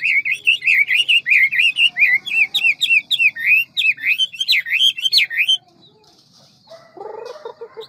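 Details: Hwamei in ngũ trường forest-style song with a fast beak and many voices: a rapid, unbroken run of loud, looping whistled notes for over five seconds, then stopping, followed by softer lower chatter.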